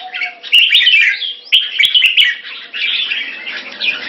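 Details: Lively chattering song of a red-whiskered bulbul recorded 2 September 2017, a dense stream of scratchy, warbled notes running almost without pause, punctuated by repeated sharp clicks.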